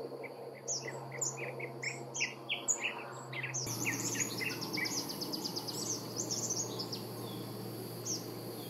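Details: Brown-capped weaver in Nyungwe Forest National Park, Rwanda, March 2013, giving a rapid series of high, thin, buzzy chips and short sliding notes, with a steady hum and faint insect noise underneath.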